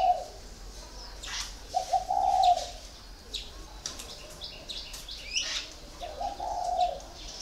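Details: Caged spotted dove of four years cooing in soft, muffled phrases separated by long pauses, surrounded by busy high-pitched chirping and twittering from other birds.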